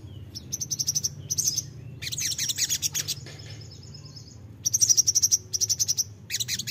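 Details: Crimson sunbird lure song for untrained birds: rapid bursts of high, ticking notes about four per second, a dense scratchy chatter, a thin sustained trill, then another fast even series.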